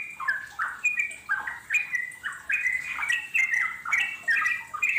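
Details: Yellow-vented Bulbul, a wild bird, sings a lively bubbly chatter of short liquid phrases. Each phrase dips and then lifts to a clear, higher note. Phrases come in quick, uneven bursts, roughly one a second.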